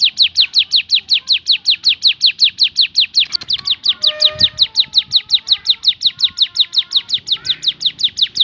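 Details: Javan sunbird delivering a long 'tembakan' variation: a rapid, regular train of shrill falling notes, close to three per second, continuing for over eight seconds over some low background rumble.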